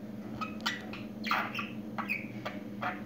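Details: Newly talking pet budgerigar indoors, giving a stream of short warbled and chirped notes with rising and falling squeaky tones, over a steady low electrical hum.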